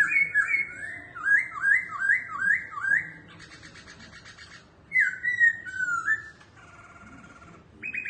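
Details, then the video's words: Caged laughingthrush singing and dancing with tail flicks: a run of about eight rapid looping whistled notes, a buzzy trilled passage, then more swooping whistles and a short steady whistled tone. "Khướu Hót Hay Múa Xèo Đuôi Đẹp"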